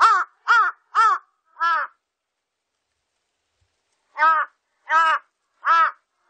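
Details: Large-billed crow, recorded in 2020 for the National Institute of Biological Resources, delivering a series of raspy caws: four rapid calls, a two-second gap, then three more, clean silent background.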